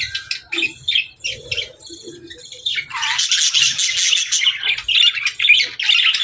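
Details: Evening play among pet budgerigars: a few separate high chirps and short whistles at first, then a loud, dense run of raspy chattering warble from several birds.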